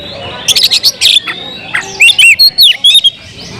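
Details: Kept Oriental magpie-robin singing a brief burst: rapid harsh broadband notes, then loud whistled phrases with rising and falling slurs, ending in a bright downward-curving whistle.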